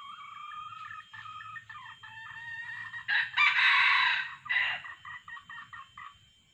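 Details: Wild red junglefowl being lured by a decoy male plus female calls: rapid repeated clucking notes, swelling into a loud harsh crow in the middle, then clucks again at a steady pace over a low hum.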